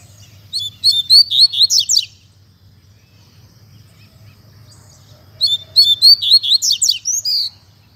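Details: Caged double-collared seedeater, a bird starting to moult, singing in the fibra style: two fast bursts of high, sharp, chattering and slurred notes, each about a second and a half, separated by a few seconds of quiet.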